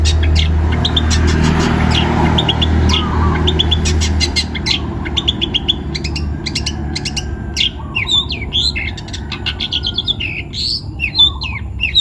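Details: Young forest-caught long-tailed shrike from Pati, Central Java, Indonesia, singing actively: sharp high chirps and clicks in quick bursts, with a steady low hum loud through the first four seconds, then a freer run of scratchy notes.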